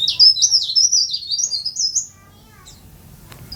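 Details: Leaf warbler, a tame and vocal caged bird, delivering one quick, high, tumbling twittered phrase of about two seconds that climbs slightly toward its end, followed by near silence.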